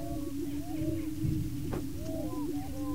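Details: Displaying male Greater Prairie Chickens on a Washington County, Kansas lek, fighting for breeding territory; low steady drone with drawn-out whistled slurs and whoops, plus one brief sharp noise midway.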